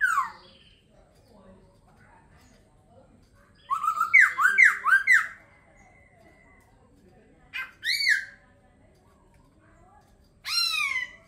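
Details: Laughingthrush singing a quick cluster of bright, bouncing whistled notes after a quiet stretch, followed by two isolated downward-swooping whistles spaced several seconds apart; faint room noise beneath.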